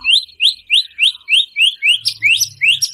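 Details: White-rumped shama song used to rouse a captive shama: a fast series of identical high upslurred whistles, about three per second, growing slightly harsher toward the end, with a faint low buzz underneath.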